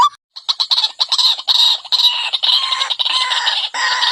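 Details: Fierce white-breasted waterhen lure call: a short note, then a rough burst of stuttering notes merging into loud, raspy, screeching squawks.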